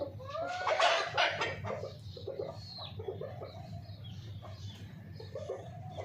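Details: Hen clucking: loud, rough squawks open the clip, then a steady run of short, low, slightly rising clucks about three a second that slowly fade, over a low rumble.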